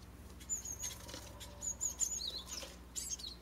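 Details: Japanese tit chicks fledging from a nest box in a garden holly tree, residential area near a mountain village, six young leaving; thin high chirps in short runs, some wingbeats and patter.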